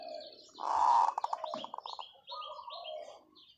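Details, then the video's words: Zebra dove giving a long call: a loud, throaty coo that breaks into about a dozen rapid, rhythmic pulses, with light chirps from other birds afterwards. "เสียงนกเขาชวาต่อ ออดยาวๆ"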